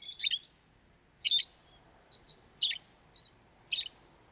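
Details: Pet lovebirds calling loudly: four harsh, high squeaky chirps spaced about a second apart, with faint soft twitters between them.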